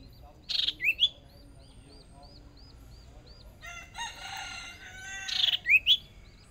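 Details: Hwamei decoy bird, newly brought out for its first small practice bout in a singing contest: two loud bursts of harsh notes ending in quick rising whistled slurs, with a rattling phrase between them and a steady chorus of faint repeated notes behind.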